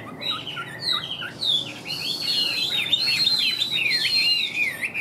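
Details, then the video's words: Chinese hwamei, caged, big-bodied with yellow legs and bill, performing laughingthrush-tail style song: high, fluid whistled loops and slurs run together in a fast, continuous warble. "Chim Họa Mi Hót Vẩy Đuôi Khướu"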